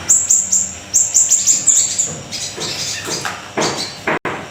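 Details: Small siri-siri in full, energetic song for luring and tutoring other songbirds: a quick run of very high, piercing notes over two seconds, then fainter scratchy sounds and a brief dropout.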